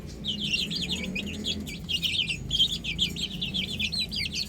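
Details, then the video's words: Several chicks playing on a roof chirp steadily, bright high peeps tumbling over one another at a quick uneven pace, with a soft low rumble in the background. "Adorable Chicks Chirping Sounds"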